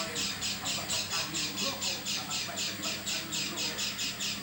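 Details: An oriental white-eye making a strange sound, different from normal: evenly spaced rasping high notes, roughly two per second, continuous through the stretch, with low humming underneath.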